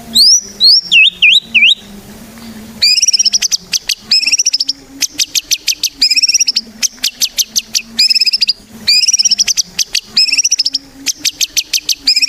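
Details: White-rumped shama singing as a lure to set other shamas off: opens with loud swooping whistles, then long runs of rapid, sharp high notes repeated in phrases, over a faint low hum.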